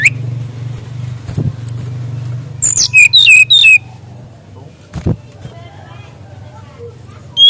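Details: Master song of a Mangrove whistler for young birds to learn: a single short run of slurred, dropping whistles in the middle, otherwise a steady low hum and a few faint knocks.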